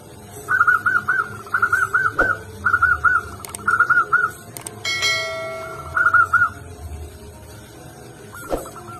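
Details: Local zebra dove (perkutut) in full song: several short runs of quick, clipped cooing notes in bursts, with a brief metallic clank midway and another dove answering faintly near the end.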